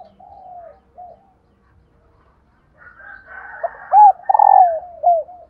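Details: Female spotted dove voice, played so that decoy males will coo: a soft drawn-out falling coo and short note, a pause, faint chattering, then a loud phrase of two clear coos and a long, rough, descending note.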